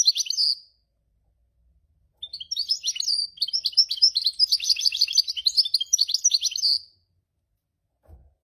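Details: Goldfinch mule, a caged hybrid, singing: a short opening burst, then a long fast twittering run of high chirps and trills lasting about four and a half seconds, with a brief low thump near the end.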